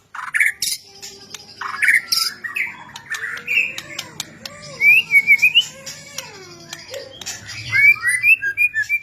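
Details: Frenzied white-rumped shama (murai batu) singing to rouse lazy shamas: harsh chattering notes give way to rising whistled trills and sharp, quick warbled phrases growing louder toward the end.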